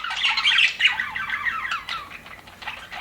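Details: Aviary budgerigars, described as happy, give a quick run of scratchy, warbling chirps that grow softer toward the end, then pick up again.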